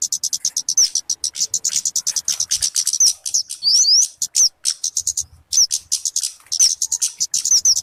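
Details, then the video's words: Luring or master-song recording of the talokan (kemade): long run of rapid, high-pitched chattering notes with repeated sharp downslurred whistles and a pair of rising slurs near the middle. "SUARA BURUNG TALOKAN/KEMADE COCOK BUAT PIKAT ATAU MASTERAN"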